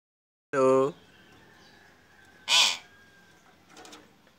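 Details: Hill myna mimicking a human word, saying "wao", a call said to set other mynas off; one short voiced vowel-like "wao" with a rich tonal ring, followed by a harsh hissing burst and a faint rasp, with low background hum.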